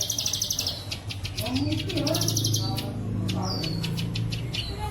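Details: Plain prinia singing bren cililin style, recorded to train pet birds. A short buzzy trill opens, then sharp chips and a falling whistle follow over louder low-pitched background noise.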